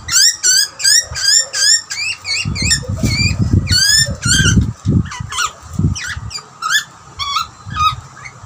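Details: Young and older Australian butcherbird interacting during feeding, exchanging rapid bursts of bright, rising, harmonic chirps, about two or three a second, with a steady low rumble beneath.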